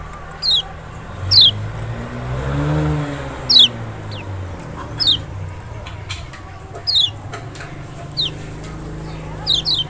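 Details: Lemon-bellied white-eye (Zosterops chloris maxi, Lombok or Sumbawa), lure song to provoke a reluctant bird: scattered high, sharply descending notes, some doubled, with a low rumbling sound partway through.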